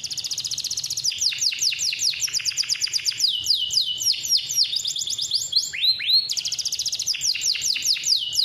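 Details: Male canary singing a persistent long roll meant to train young canaries: unbroken stream of falling whistles and rapid rattling trills over eight seconds, a brief pair of upswept notes midway, then renewed fast trilling.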